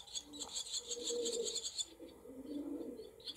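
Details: Barn swallow nestlings in a cowshed with several nests, 28 July 2024: a rapid run of shrill, high squeaky cries for nearly two seconds, then quieter, with low cooing and murmur in the room behind.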